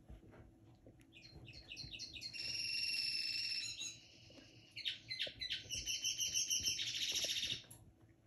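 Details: Young linnet hybrid from 2022, a caged pet in its early singing days, delivering a rapid high twittering song: fast repeated notes running into sustained buzzy trills, then a pause and a second burst of chattering phrases, in a quiet room.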